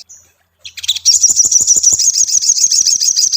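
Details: Tailorbird, likely a male singing to call a rival or female, pours out a dense, high, scratchy stream of rapid chirps and trills, about three notes a second, with no other sounds.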